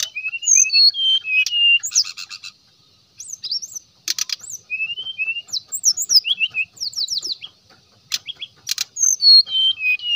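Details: Brown-chested jungle flycatcher delivering varied lure song to call other males: series of high whistled slurs, some rising, some falling, separated by short gaps and punctuated by dry buzzy rattles.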